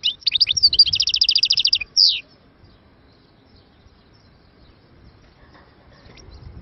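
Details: Algerian goldfinch song from Moknine, 2022: a short buzzy opening, then a fast, even trill of repeated high notes lasting about two seconds, one final sweeping note, then near silence over a faint rumble.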